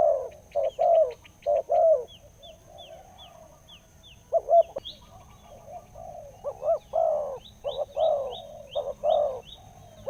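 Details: Wild spotted dove with a large voice in the 'khu-ang' cooing style, tracked nearly two years; clusters of mellow rounded coos broken by a gap, with another bird's short high whistles repeating behind.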